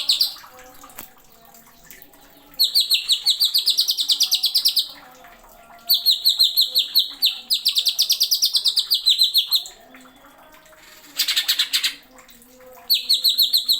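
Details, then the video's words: Cucak ijo, the greater green leafbird, singing 'nembak' with sharp 'isian' in a masteran tutor recording. Repeated bursts of rapid, shrill high notes alternate with quiet gaps, and one short harsh noisy burst comes near the end. "MASTERAN.CUCAK IJO NEMBAK ISIAN TAJAM."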